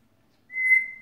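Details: A pet male grey parrot (Psittacus erithacus), indoors with its owner talking to it, gives a single clear, steady whistle, high-pitched and held for about half a second after a quiet start.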